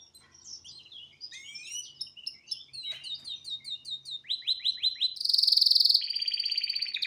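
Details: Pet male canary singing in front of a television: varied twittering gives way to quick repeated falling notes, then a loud fast rolling trill and a sustained buzzy rattle at the end.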